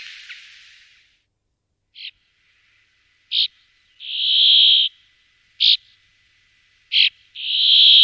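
A brambling gives short, sharp high notes mixed with long, nasal, drawn-out buzzy wheezes, spaced a second or two apart against a quiet background.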